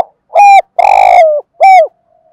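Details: Loud, close spotted dove, a captive lure bird cooing in the morning to draw wild doves: three coos in quick succession, the middle one long, rasping and sliding downward, the outer ones clear and slightly falling.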